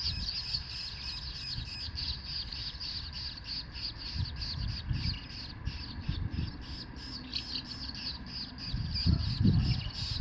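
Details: Asian house martin calls recorded on 4 May 2021 in Himeji, Hyogo, Japan, on a COOLPIX W300: rapid, high, dry chirps repeated almost continuously for ten seconds over steady low rumbling background noise.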